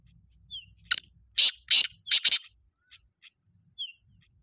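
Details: Black francolin giving its loud, harsh, rasping call of five broad scratchy notes in quick succession, framed by a few thin descending chirps and soft clicks.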